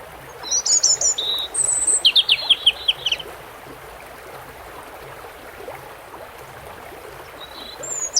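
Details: European robin beside running water: a burst of high, sharp trills and thin whistles lasting about three seconds, followed by long silence from the bird with only water hissing and one faint high note near the end.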